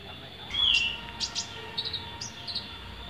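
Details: Newly caught Van Hasselt's sunbird, kept in Pemalang, Central Java, Indonesia, singing after just one day: a sharp high whistled slur followed by a quick series of thin, tinny chirps.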